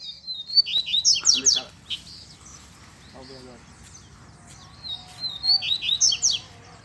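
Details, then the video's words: Wild double-collared seedeater in scrub, a chick calling nearby; a rapid high phrase of sweeping, buzzy notes, a quieter stretch with people talking, then a matching chirpy phrase near the end. "COLEIRO NO MATO TOP ATÉ FILHOTE PIANDO APARECEU!!!"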